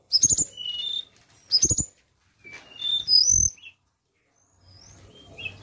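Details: Lure recording of a flowerpecker: two quick clusters of sharp, very high ticking chirps, then thin piercing downslurred whistles, separated by short silences.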